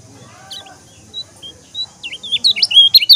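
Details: Lombok yellow-crowned bulbul singing: after sparse short high notes, a burst of loud, jumbled whistled phrases builds up in the last second, over a steady high hiss and faint low rumble.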